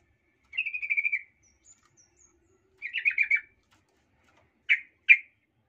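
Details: Sooty-headed bulbul lure meant to anger other males: a fast bubbly trill, a second chattering phrase, then two separate sharp single notes.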